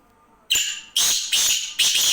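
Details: Black francolin calling at night, said to keep calling until midnight: three loud, harsh, high rasping notes in quick succession after a short silence, each note a burst of grating sound, with a quiet background.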